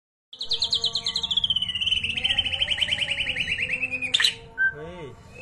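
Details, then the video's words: White-rumped shama of the blorok variety singing a long rapid trill that starts high and slides steadily lower over about four seconds, ending with a sharp click and a short low note. "KICAU MANIA Murai batu blorok"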